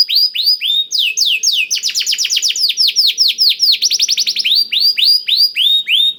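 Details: Blackthroat-filled canary singing, used as a lure to make canaries sing: steady series of downslurred whistles, then a long fast trill of repeated syllables, returning to slower looping notes.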